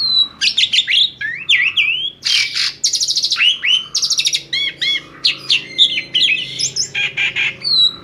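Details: Asian pied starling in full song, meant to draw other birds into singing: a long varied stream of chirps, slurred whistles, rapid rattles and harsh buzzy bursts, delivered continuously for eight seconds.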